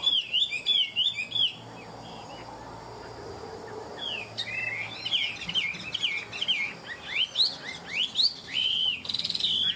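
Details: Chinese hwamei, a tame caged bird singing ngũ trường style: fast bursts of high, clear warbled whistles, some rising steeply, alternating with quieter gaps, and faint background chatter.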